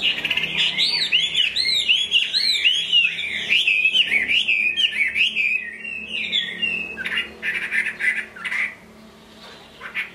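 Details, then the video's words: Chinese hwamei kept in a cage, singing in the rain: fast fluent run of looping whistled notes, bright and varied, tailing into quieter broken chatter with soft background hiss. "Họa mi hót trong mưa"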